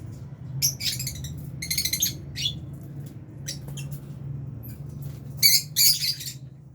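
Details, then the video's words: Lovebirds, albino and Fisher's, in an aviary colony while eating food, give bursts of sharp, high chirps in scattered clusters, some buzzy and harsh, with a steady low hum beneath. "Lovebirds Sound | Birds Aviary | Lovebirds Chirping Sounds"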